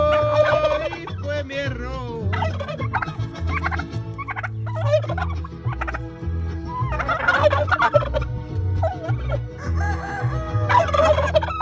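Turkeys break into loud, rapid, rattling gobbles in bursts, answering a man singing a Spanish love song over a steady low hum.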